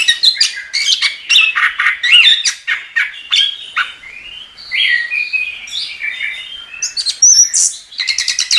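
Chestnut-capped Thrush in vigorous, nonstop song: rapid chattering notes mixed with sweet slurred whistles and bright high phrases, varied and rich, with no other sounds.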